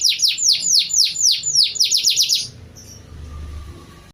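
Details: Prinia-imitating song from a moulting canary before dusk: a fast run of high downslurred notes lasting over two seconds, then stopping, leaving quiet background hum.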